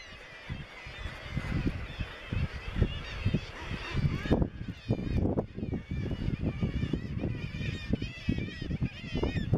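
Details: Razorbill calling at the Bempton Cliffs RSPB seabird cliffs, East Yorkshire, May 2017: repeated low, harsh growls roughly every half second, with a busy layer of higher, warbling colony calls throughout.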